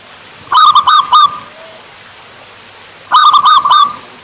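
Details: Zebra dove of the local Javan type giving its song twice: bursts of four or five rapid, ringing, staccato coos, spaced about two and a half seconds apart, over a faint steady hiss.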